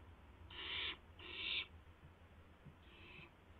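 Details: Owlet barn owl heard at 12:06 AM on April 12, 2016 while trying out its wings: two loud, breathy hissing screeches back to back, followed after a pause by a fainter third hiss.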